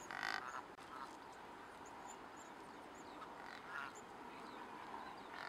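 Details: Two short, harsh honking calls from a Cape Barren goose, recorded in Australia on 12 January 2019, about three seconds apart, over steady background hiss and faint high chirps.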